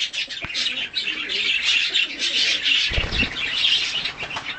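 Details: Budgerigar, hand-tame colour mutation, during feeding with a play and cuddle session; steady scratchy warbling chatter, a low thumping handling noise around the middle.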